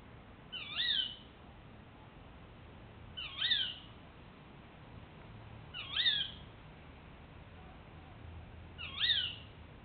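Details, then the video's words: Tawny owl giving its territorial call in August, telling juveniles it is time to leave and warning other owls that the spot is taken; four sharp, shrill, rising-then-falling calls spaced about every 2.7 seconds over a faint low hum. "TAWNY TERRITORIAL CALL"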